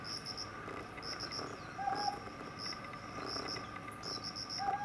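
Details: Ryukyu scops owl repeating a short, low, slightly upslurred hoot about every three seconds, with bursts of high-pitched insect chirping filling the background.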